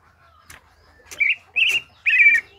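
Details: Greater green leafbird singing, offered as a reference for training other birds: three short whistled phrases near the middle pitch range, each slightly warbled, separated by brief pauses after faint clicks.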